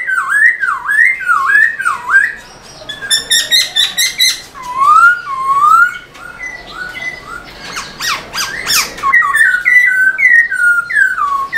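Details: Caged black-throated laughingthrush singing energetically while dancing its tail: looping, wavering whistles that dip and rise, then clusters of stacked harsh notes and rapid chattering bursts, with more swooping whistles at the end.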